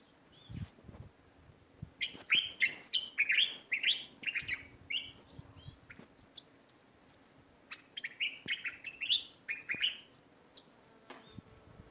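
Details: Sparrows chirping in a neighbourhood garden: bursts of bright, short chirps in quick series from about two to five seconds and again from eight to ten seconds, with quiet gaps and faint low background noise between.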